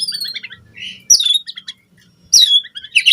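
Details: White-rumped shama singing for a lure track used to train caged birds, with high piercing whistles and quick twittering notes in brief bursts, and a soft background hum.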